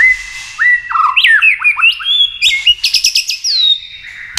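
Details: White-rumped shama singing to stimulate other birds into contest song: lively sequence of looping, rising and falling whistles, ending in a rapid rattle of repeated high notes and a clear drawn-out whistle.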